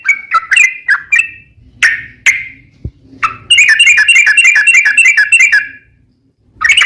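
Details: Yellow-vented bulbul song meant to lure other bulbuls into singing: a few separate bubbly notes, then a fast, dense chattering run lasting about two seconds, ending in silence before a final burst.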